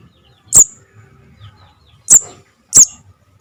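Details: Javan cuckoo chick call used to attract birds for trapping: four shrill high squeaks, the first alone, then three closer together, each under a quarter second.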